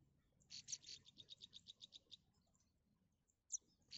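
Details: Three baby birds in a nest waiting for their mother to bring food; high, bright chirps repeated rapidly in a run of about a dozen notes, then a pause and a couple of louder chirps.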